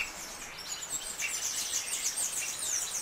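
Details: Saffron finch, Sicalis flaveola, singing in the canto estalo style: dense, high, chattering chirps and quick sharp notes running continuously over faint background noise.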